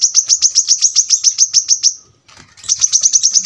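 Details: Brown-throated sunbird repeating sharp high notes in a quick steady rattle, falling silent briefly before the same rapid series starts again.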